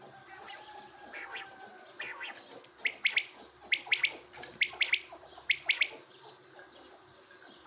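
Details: Quail chorus: quiet chirping builds into a series of loud, crisp paired notes every half second or so, then fades back to softer calls over a low hum.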